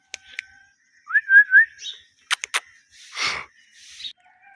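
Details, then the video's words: A pair of pet Indian ringneck parakeets: a wavering whistled note that wobbles up and down, framed by sharp clicks and a brief hissing burst, with a soft later chirp. "Jora parrot chirping sound || Ringneck parrot compilation"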